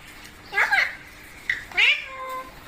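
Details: Pet parrot indoors with its owner, giving two shrill, harmonic calls: a bending squawk, a short pause, then a rising wavering call with a steady tone trailing after it.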